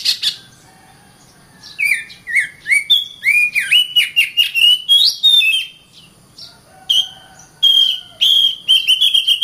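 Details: Song of an Oriental magpie-robin kept for tutoring other birds: rich whistled phrases with rising and falling slurs, rapid chatter between them, and a brief pause midway.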